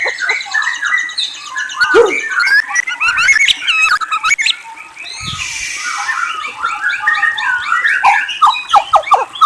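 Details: White-rumped shama singing whistles and trills: a dense, varied stream of warbled phrases, quick slurred whistles and rattling trills, with a low thump near the start and a harsh hissing burst in the middle.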